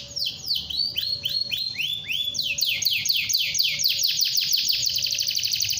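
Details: Canary in a long rolling song meant to prompt other canaries to sing: high downslurred notes, first slower, then accelerating into a rapid even series of descending sweeps, about four per second, with a faint steady low tone beneath.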